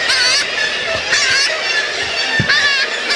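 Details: Adult black-legged kittiwake on Middleton Island, Gulf of Alaska, in summer 2005, trying to expel a fledged pelagic cormorant chick: loud, wavering, nasal calls about once a second over steady colony noise.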